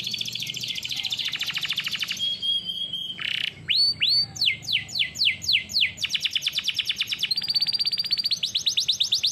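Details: Canary training song: long rolling buzzy trills, a short pure whistle, then a series of sharp downward-swooping notes and rapid repeated tours, varied and continuous.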